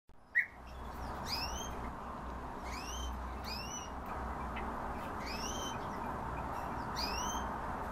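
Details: Himalayan bulbul calling: a run of short, clear arched notes, each swinging up then down with a higher overtone, given roughly every second over a steady low rumble and hiss of background noise.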